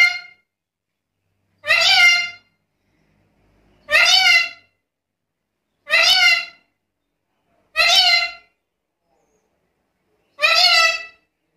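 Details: Black-capped lory, apparently indoors, giving loud, harsh, richly harmonic calls about every two seconds. Each call lasts under a second, with near silence between.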